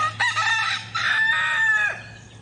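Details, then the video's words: Chicken giving a loud, drawn-out, harmonic crowing-type call in two long strained phrases with a brief break between them, over a steady low hum. "Relaxing therapy with hen sounds"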